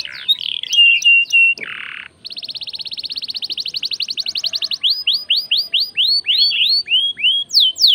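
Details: Canary in full song, used as a lure to get other birds singing: quick high chirps, a buzzy burst, then a long fast trill of repeated notes giving way to slower ringing downward-slurred whistles.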